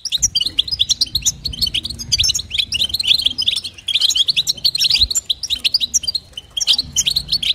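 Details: European goldfinch, a female calling to stimulate the male: dense, rapid twittering and tinkling notes, high and bright, in continuous bursts with short gaps, faint low hum beneath.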